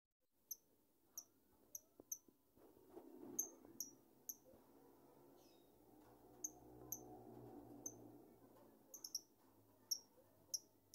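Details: Pet lovebird, a household favourite, giving sharp high squeaky chirps in loose series, with a louder murmur of indoor background noise swelling in the middle and brisk repeated chirps returning at the end.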